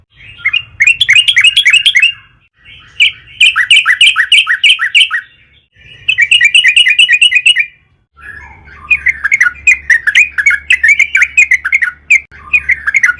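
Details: Sooty-headed bulbul (trucukan), a long gacor song used as a lure to provoke other trucukan to sing: loud, rapid, bubbling chattered phrases of one to two seconds, repeated after brief gaps, the last one running longer and more scattered.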